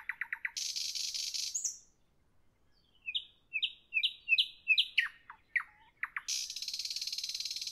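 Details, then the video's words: Nightingale's evening song: a few quick chips lead into a loud buzzy rattle, then a series of rising whistled notes, sharp downslurs, and a long closing churring trill. "Evening nightingale, nightingale song, nightingale"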